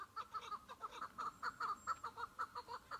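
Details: Chukar partridge calling during a spring hunt among patchy snow, a single bird: a steady run of loud, clipped chuck notes, roughly six each second, evenly spaced and punchy, with little else audible.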